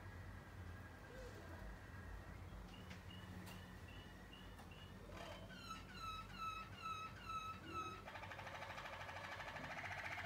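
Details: Waterslager canary babies from 2020 singing: soft sustained whistles, then a loud string of clear looping water-like notes, ending in a dense buzzy roll as low background noise rises.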